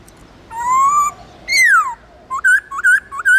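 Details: White-cheeked laughingthrush from the Central Highlands giving wild-type training song: a slowly rising whistle, one long falling slur, then a brisk run of short, bouncing, looped whistled notes.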